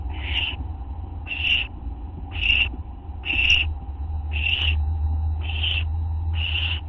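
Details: Owls recorded on a live camera late at night on August 24, 2011: seven harsh, noisy hissing bursts spaced roughly one second apart, with a constant low mechanical hum beneath.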